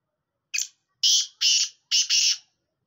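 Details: Local (desi) black francolin giving a loud, harsh, grating call: a short clipped note followed by three longer rasping notes, all in about two seconds, with no other sounds.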